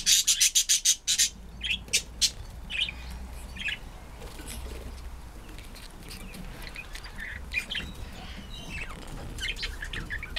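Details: A pet female monk (Quaker) parakeet, about six years old, gives a burst of rapid, harsh chirps, then scattered squeaky notes.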